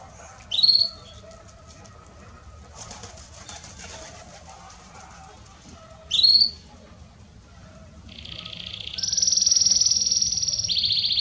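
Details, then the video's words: A Belgian canary (Canário Belga Estourado) gives two quick, sharply rising whistled notes, then breaks into a fast, high, buzzing trill that steps up in pitch and holds; song played to warm up other Belgian canaries. "Canário Belga Estourado esquente seu canário belga"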